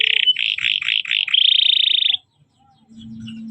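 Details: {'text': 'Canary song used as a master recording for training young canaries: fast bright chattering notes, then dipping repeated phrases and a long even high trill, ending in silence and a low hum.'}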